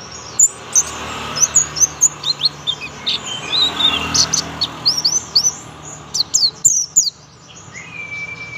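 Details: Bursts of piercing, rapidly repeated chirps from a young oriental white-eye singing 'tembakan', with a short quiet stretch near the end and a low hum throughout.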